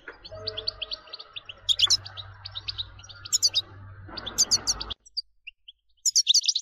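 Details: Singing European goldfinch, used to stimulate singing, giving clusters of sharp high twitters and chirps over a low humming background that cuts off partway, leaving cleaner twittering at the end.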